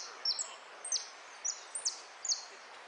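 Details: European goldfinch singing in a contest at Piran on 03 02 13, 'repique' style, entered in the 'amarillo' category: sharp, high, thin notes sliding downward, given in short bursts about every half second over a steady background hiss.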